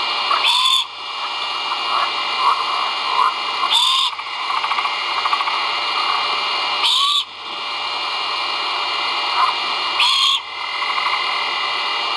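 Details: Nestling great horned owls calling during feeding at a camera-monitored nest, 1.04.2022. Four rasping, hissy screeches come roughly every three seconds, each carrying a brief upswept tone, over constant background hiss.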